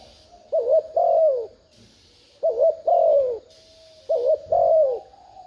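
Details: A spotted dove coos to draw in wild doves. Three low two-part phrases, a quick warble then an extended falling coo, repeat roughly every one and a half seconds over a faint high hiss.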